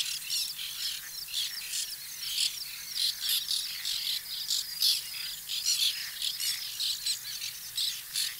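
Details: Many White-winged terns calling at a nesting colony, 2021: continuous overlapping squeaky and rasping notes, with short bursts packed closely together throughout.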